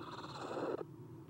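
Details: Close, loud rasp from an Eastern screech owl owlet, one of three in a nest box on 30 April 2016 after an adult leaves: a single harsh, hissing screech of under a second that stops abruptly, with low hum.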